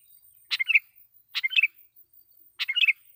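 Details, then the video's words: Sooty-headed bulbul giving a loud lure song meant to agitate wild bulbuls: three short, chirpy phrases, each a sharp note falling into a few bubbly whistles, spaced about a second apart against a quiet background. "suara pikat KUTILANG GACOR /kutilang suara keras,membuat kutilang liar EMOSI"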